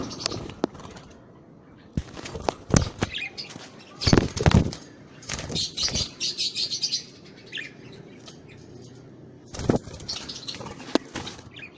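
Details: Budgerigars give bursts of high, chattering warbles among loud flutters and clattering wingbeats. A quieter spell follows before renewed fluttering and chirps near the end.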